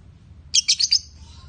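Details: Lovebirds, a male and female pair, kept as pets: a quick burst of four sharp, high chirps in about half a second, followed by a thin trailing whistle, over a low background hum.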